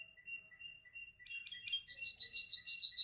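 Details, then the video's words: Male canary practicing its song, soft spaced whistled notes at first, then a brief chattering flourish leading into a loud sustained high rolling trill. "Your canary sings immediately when he listens to this canary singing"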